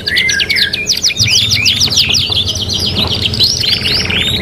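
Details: Three-in-one training recording of a 'kenari gacor' canary: a bright chain of quick rising-and-falling chirps, then warbled, rolling phrases and a buzzy trill at the end. Low electrical hum underneath.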